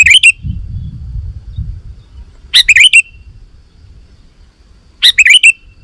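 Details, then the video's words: Sooty-headed bulbul singing to lure wild bulbuls: three well-spaced phrases of bright, quick warbled notes about two and a half seconds apart, with soft low rumble in the background. "Suara Burung KUTILANG GACOR 100% Ampuh Untuk Suara Panggilan Kutilang Lain auto Emosi dan Gacor"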